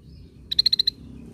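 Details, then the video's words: Scaly-breasted bulbul lure sound: a crisp, clean run of six evenly spaced high pips lasting under half a second, on a quiet background. "Pancingan Bunyi cucak bersisik"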